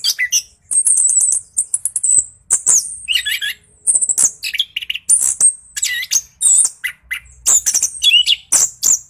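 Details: Orange-headed thrush pouring out rolling 'ngeroll' song meant to stimulate quiet birds to sing. Long run of high piercing whistles, rapid repeated chips and buzzy fragments, continuous with only brief breaks.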